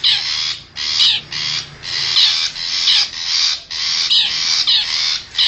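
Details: Wild forest long-tailed shrike used as a lure to attract wild birds: harsh, rasping broadband bursts about half a second long, repeated with short gaps, some ending in a brief downward sweep; no other sounds stand out.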